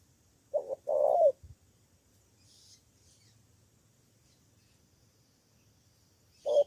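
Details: Decoy spotted dove from Cà Mau, Vietnam, answering rivals with one two-note phrase and long rolling coo, then a long quiet pause before another note begins at the very end.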